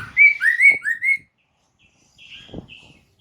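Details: White-crested laughingthrush lure song meant to prompt kept birds to answer: four loud slurred whistles, rising then falling, packed into the first second, then a dull thump and faint higher twittering notes after a pause.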